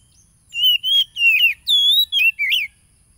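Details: Oriental magpie-robin, Tulus Rejo village, Lampung, Indonesia, 30 July 2022, recorded as provoking song for stuck, mute caged birds: six loud whistled phrases in quick succession, some wavering, some falling, the last rising sharply.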